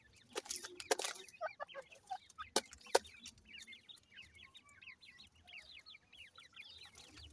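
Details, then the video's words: Desi Irani teetar (francolin) chicks raised in captivity: a dense run of thin, high, down-slurred peeping cheeps, many overlapping, after a few sharp clicks and knocks at the start. "desi irani teetar bird chicks"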